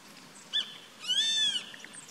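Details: Grey-faced buzzard calling from a treetop on 14 April 2019: a short sharp note, then a long plaintive whistled note that rises slightly and falls away, over faint background hiss.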